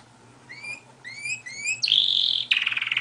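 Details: Canary singing: three short groups of rising whistled slurs, then a loud sustained bright note sliding into a quick vibrating trill, with faint hum beneath.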